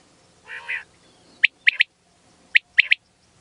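A male common quail gives two sharp, liquid three-note phrases, 'wet-my-lips', about a second apart, after a brief hoarse, buzzy sound at the start.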